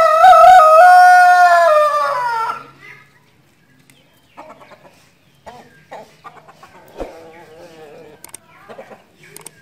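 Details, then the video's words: Domestic rooster delivering a loud, long crow of about two and a half seconds, wavering at the start then steady and fading, followed by scattered soft clucks and short calls from fowl. "Suara Ayam Berkokok | Suara Ayam Jago"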